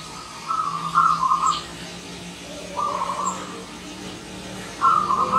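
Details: Visiting wild zebra dove calling in three separate bursts of rapid, rippling coos, each lasting under a second, spaced by gaps of roughly two seconds, with a low steady hum behind.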